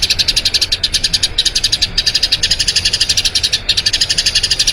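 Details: Rapid rolling chirps of a Eurasian tree sparrow, a long song used to train other birds: high bright notes repeated about four times a second, steady and slightly uneven, with one short break.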